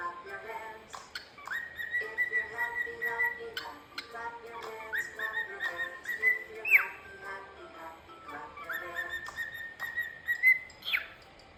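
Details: Pet cockatiel whistling the tune of "If You're Happy and You Know It". Clear, sustained high whistles, some sliding upward, form a repeating melody over accompanying music, with short sharp clicks between phrases.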